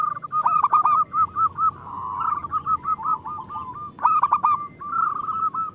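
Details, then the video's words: Local zebra dove singing actively, used as a lure to get lazy doves to sing: a run of soft, rolling cooed notes on one pitch, with brief bursts of sharper trilled notes in between. "Perkutut lokal gacor"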